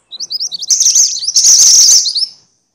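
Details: Minivet (mantenan or sepah) starts with a quick string of short, rising, high chirps that speed up and merge into a loud, shrill, rattling chatter before fading out.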